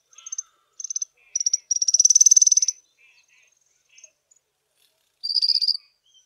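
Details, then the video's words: Small group of African firefinches sitting in the sun on a chilly morning in South Africa: short high chips and brief bursts, a fast level trill of about a second, later a buzzy high trill; nothing else heard. "AFRICAN FIREFINCH songs"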